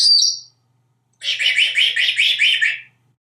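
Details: A pet African grey parrot, hatched in 1997 and living in Texas, chatters before dinner, giving a short, high whistle, a pause, then a quick run of about seven bright, warbling notes in a tuneful phrase.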